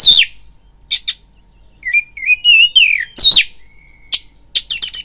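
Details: Lure song of a caged oriental magpie-robin, used to provoke fighting: sharp harsh rasps opening and closing, a run of clear rising whistled notes between, then a thin sustained whistle and clipped scratchy notes.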